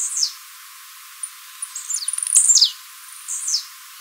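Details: Blue-black Grassquit, Tiziu Mateiro song, recorded live for training. A short buzzy downslur opens. A stuttering series of rapid ticks then builds into a longer sweeping buzzy phrase, and one more descending note follows.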